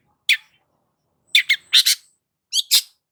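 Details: A long-tailed shrike gives harsh, buzzy, high chattering notes, singly and in quick pairs, seven notes over three seconds with pauses between and no other sounds, in a recording used to train captive shrikes to sing.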